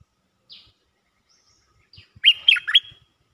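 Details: Cream-vented bulbul calling for a mate: a short, lively phrase of four or five quick, rising and falling notes after a single thin high note, otherwise near silence with faint low taps.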